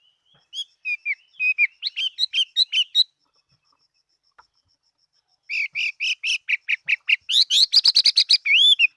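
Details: Chinese hwamei, kept as a fighting bird, 2018: a lively string of varied whistles, a short silence, then a fast, loud, rising run of repeated notes.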